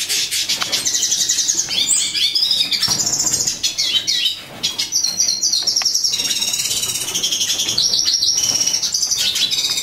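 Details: Lilac-breasted rollers, a captive breeding pair living free in a home living room, where two chicks hatched; loud, harsh, high chattering notes in rapid repeated runs fill nearly the whole stretch, with brief quieter gaps.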